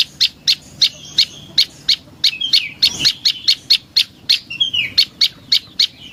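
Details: Lure song of a prinia (prenjak lumut): loud, rapid, high-pitched chipping notes repeated evenly for over six seconds, with short buzzy trills woven between the chips.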